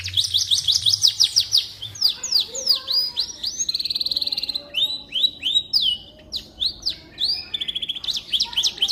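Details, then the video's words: Canary singing as a model for white-rumped shamas to copy: series of rapid chips and downward-slurred whistles, a short buzzy trill in the middle, then spaced sweeping notes. "Suara Burung Kenari"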